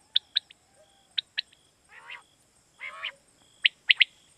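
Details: Quail lure call used for night hunting in Pakistan: sharp clipped chirps in pairs alternating with two longer, lower rasping notes, over a faint constant high whine.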